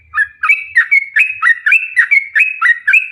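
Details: Yellow-vented bulbul in long rapid song, played to get other bulbuls singing: crisp, evenly spaced gurgling notes, about four each second, over a quiet background.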